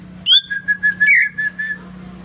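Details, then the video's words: Newly bought caged greater green leafbird singing in response to whistling: a sharp rising note, then a run of rapid repeated clear whistled notes at a steady pitch, over a constant low hum. "Testing Cucak Ijo Gacor baru beli kena siul langsung ngoceh"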